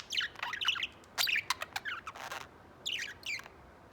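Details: A pet white budgie gives a string of bright chirps and harsh, scratchy notes, including a rasping burst, then pauses before two more short twittering phrases.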